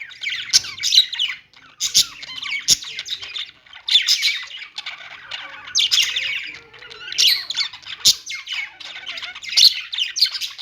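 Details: Budgie chatter over nearly eleven seconds, waves of scratchy warbling and squawks recurring every second or two, with occasional sharp clicks.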